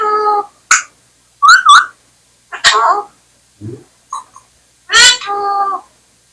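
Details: Indian parrot talking in a quiet indoor setting: clipped speech-like syllables, sharp clicks and a nasal, harmonic drawn-out word at the start and again near the end.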